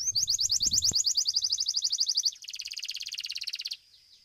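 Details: Domestic Belgian canary performing in a song contest: a very fast, regular rattling trill of sharp repeated notes, shifting to a slightly lower, softer pulsed trill before stopping; a brief low thud early on.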